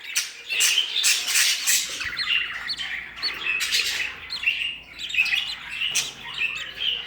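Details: Newly hatched budgerigar chicks in a nest with eggs give a busy stream of high, raspy chirps and squawks that overlap continuously.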